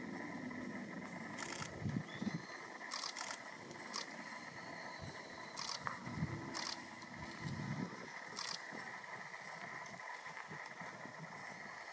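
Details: Low outdoor rumble with a steady high hum and brief rustling bursts, with no clear animal calls.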